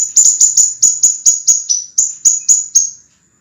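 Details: Scarlet minivet, a master recording for training cage birds: a fast series of high, clear, sharply downslurred whistled notes, about four per second, ringing and clean, then a brief silence.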